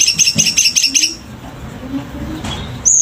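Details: Selendang biru bird singing vigorously: a fast run of high, sharp chirps for about a second, then a quiet pause and a single high whistle at the end.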